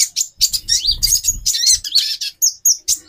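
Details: Brief burst from a female brown-throated sunbird, a call meant to stir male mating drive: sharp, high, scratchy chirps and slurred notes packed closely, with low dull thuds in the background.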